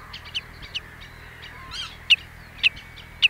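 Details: At Ochsenmoor, Hüde, on 26 May 2018 at 14:15, a common redshank gives sharp, high piping notes, spaced about half a second apart and growing louder, over a faint low hum and softer bird chatter.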